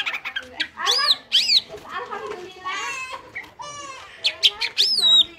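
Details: Lively ngentrok song of a greater green leafbird, a reference recording for training other birds. Loud swooping whistles and harsh chatter alternate with rising and falling slurs, ending in a high descending whistled phrase.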